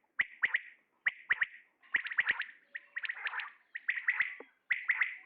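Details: Male common quail giving clipped triple-note phrases, three quick ticking notes per burst, repeated about every second with short silences between. A few softer, blurred notes fill one of the gaps.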